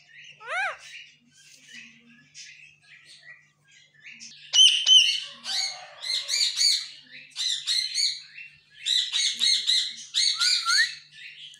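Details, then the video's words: Pet parrot vocalizing indoors: a rising whistled note, then a long run of harsh squawks and chattering syllables, loud and dense in the second half, with a final upward whistle. "Talking parrot"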